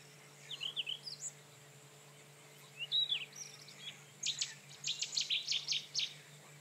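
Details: Rufous-tailed scrub robin singing: two short bursts of high, clipped whistled notes, then a run of bright, sharply stacked notes repeated in quick succession. A steady low hum sits underneath.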